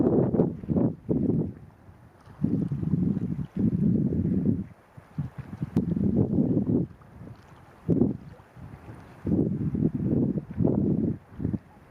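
Wind buffeting the microphone in irregular low gusts, with faint water sounds and no animal calls.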